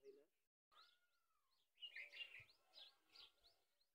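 A black francolin gives harsh, grating, rhythmic call notes, several in quick succession after a brief clear whistle, with a faint human voice at the start.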